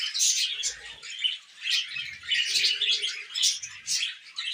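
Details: Happy budgerigar chatter in short swelling bursts, bright chirps and squeaky warbles rising and fading every second or so.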